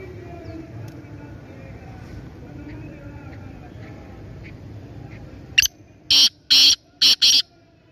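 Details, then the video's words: Sindhi black francolin (kala teetar) kept as a hobby bird at a shop in Topi, Swabi District; low background murmur, then a sharp click and four loud, harsh, grating notes in quick succession at the end. "Sindi Kala Teetar"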